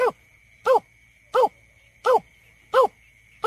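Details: Greater painted-snipe lure call used in bird surveys: short, arched, resonant notes repeated at an even pace of about one every 0.7 seconds, a faint steady high tone running underneath.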